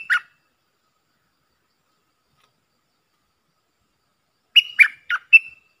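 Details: A puff-throated bulbul decoy sound for training young hand-fed birds: one rough note, a long pause, then a fast phrase of four nasal, scratchy notes, the last one slightly drawn out.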